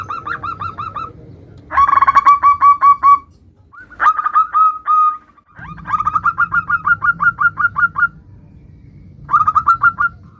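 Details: Local zebra dove singing varied phrases as a lure for answering doves: bursts of rapid cooing notes alternating with longer, rising coos, separated by short pauses, with constant low rumble behind.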